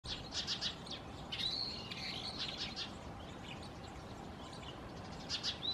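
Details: Brown-eared bulbul in Japan (Tohoku) giving shrill, high squealing notes in short bursts, one with a rising whistled note, over a soft hiss of outdoor background noise.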